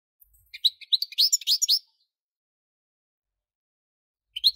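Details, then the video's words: European goldfinch with a quick burst of liquid twittering and rising chirps lasting over a second, then silence and a brief final chirp. "Most sweet goldfinch singing | Goldfinch singing"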